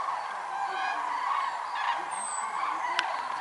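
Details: Migrating common cranes at the world-record concentration of over 206,000 at Lac du Der-Chantecoq, France, November 2014: dense overlapping trumpeting calls, a brief high thin whistle midway, and a sharp click near the end.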